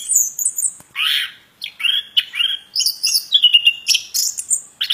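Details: Plontang bird singing a varied, lively series of chirpy, slurred high notes with short trills and quick whistled phrases, delivered in rapid bursts with brief pauses.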